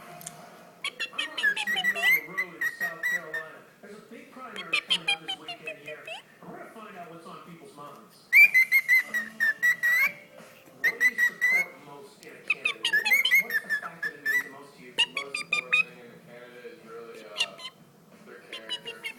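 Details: A pet cockatiel named Paco sings: clear, wavering whistled phrases broken by short chirps and clicks.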